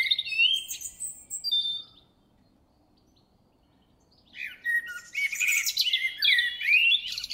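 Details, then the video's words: Common blackbird singing in the background while a paired couple of willow emerald damselflies lays eggs in a willow branch. A warbled, whistled phrase is followed by a two-second pause, then a longer twittering, chattering run of high notes. "Blackbird singing."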